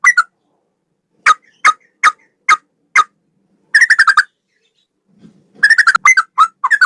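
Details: A male sooty-headed bulbul sings in the gacor ropel style. Single sharp whistled notes are spaced about half a second apart, then come quick chattering bursts of bubbly notes, a short silence, and a faint low rustle.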